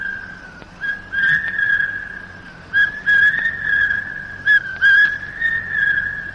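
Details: Two large hawk-cuckoos vie with one another in pitch darkness deep in Malayan highland jungle, recorded late 1950s to early 1960s, giving shrill, sustained whistled calls repeated in loud bursts a couple of seconds apart, over hissy background.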